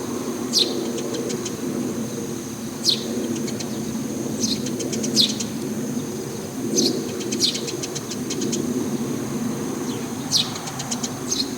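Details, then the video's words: A single Eurasian tree sparrow calling from a roof, thought to be the same bird that calls there regularly; sharp high chirps, each trailed by a quick run of clicking notes, come in bursts every one to two seconds over a low steady background hum. "スズメの鳴き声 Eurasian Tree Sparrow"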